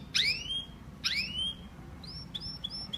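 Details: Canary song: two high sweeping notes falling in pitch about a second apart, then a row of short, thin, bright chips, over faint background hiss.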